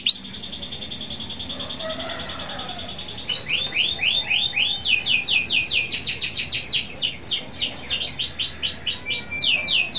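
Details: Local canary singing hard to encourage other canaries to join in: a sustained buzzy high trill, then a rolling series of downward-slurred notes, followed by faster, louder sweeping phrases repeated in quick succession.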